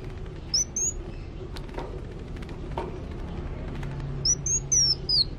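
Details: Actively singing Van Hasselt's sunbird: two brief groups of sharp, high, thin whistles, the later group a quick falling series, separated by a gap filled with low rumble and faint knocks.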